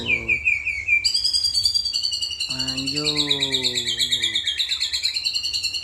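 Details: White-rumped shama song stuffed with cililin, jenggot and kapas tembak fills: a short low whistle jumps into a long, dense, high buzzy trill that holds steady for seconds, with a man speaking over the middle.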